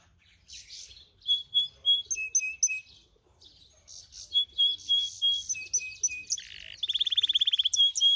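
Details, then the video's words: A brambling × canary hybrid sings a lively, varied song of bright, high chirps and short whistled phrases, ending in a fast rattling trill. "Гибриды (вьюрок х канарейка)"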